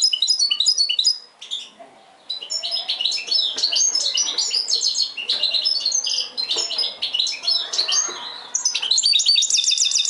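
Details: Mixed singing of a European goldfinch, a busy stream of sharp twittering chirps and liquid high notes, briefly pausing early on before resuming with rapid trills.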